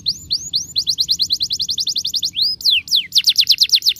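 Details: Canary song for training canaries to sing readily: rising whistled notes, then a quick rolled series of identical chirps, a couple of sharp downward sweeps, and another rapid trill to finish.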